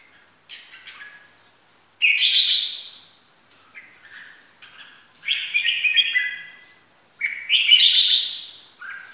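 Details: Red-whiskered bulbul lure call to provoke birds: bright, chattering bursts of scratchy, bubbling notes, with a louder phrase every two to three seconds and softer chatter between.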